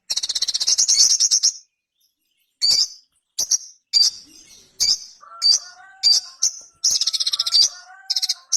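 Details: Sogon, the ruby-cheeked sunbird, a tiny bright nectar-eating bird, opening with a long fast high rattle-trill, then short sharp chirps spaced apart and some lower whistled phrases, all clear against a quiet background.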